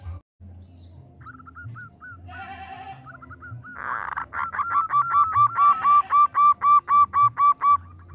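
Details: Female zebra dove calling to a male, opening with scattered soft coos and a brief rustling burst, then a steady rhythmic series of loud, clear cooing notes that grows stronger.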